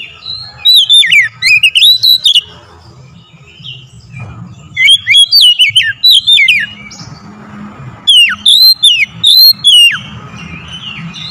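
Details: Oriental magpie-robin song played to provoke singing: three loud phrases of rapid, varied whistles swooping up and down, separated by quieter pauses with a steady low background hum.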